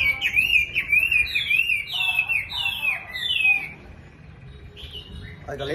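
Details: Chinese hwamei singing at the start of a new day: a loud, rapid stream of slurred, warbling whistles that rise and fall in quick phrases for about three and a half seconds, then fade to quiet with a brief faint note at the end.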